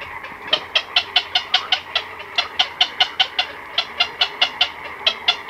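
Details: Black-crowned night heron chicks and adults in a colony at night give a fast series of harsh, clicking chatter notes, about four a second, over a soft background murmur.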